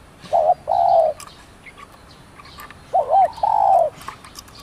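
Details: Zebra dove, a village bird used as a lure for trapping: two clear phrases, each a short wavering note followed by a longer, steady, slightly rising coo, separated by about two seconds of quiet, with faint chirps behind.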